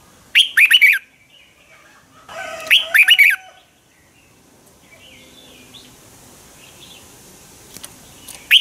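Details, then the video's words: Morning fighting song of the red-whiskered bulbul, played as a lure to train birds; two lively phrases of rolling, whistled chirps about two seconds apart, then a quieter stretch and the start of another phrase. "Luyện chào mào hót sáng hay Dùng để thúc bổi căng hót, ép giọng rất hay, chào mào hót đấu"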